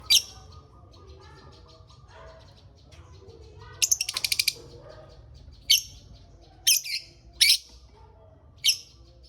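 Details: Lovebird kept in a mini aviary, giving sharp, shrill chirps and a fast rattling burst of repeated high notes, with pauses of a second or two between calls.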